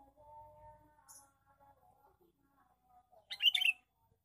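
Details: Male sooty-headed bulbul lure call: one harsh chattering burst near the end, after several seconds of faint whistles and twitters from other birds.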